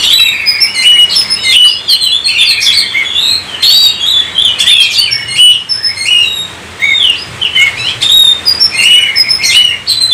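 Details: Oriental magpie-robin in sustained 'gacor' song played to make other kacer sing: many short, varied whistled motifs and sharp chips, about 86 per minute at an uneven pace, with brief quieter spells.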